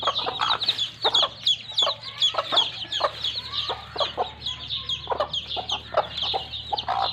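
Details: Broody mother hen with her chicks playing in mud: low repeated clucks about once a second beneath a constant chorus of high, thin chick peeps, with a steady low electrical hum.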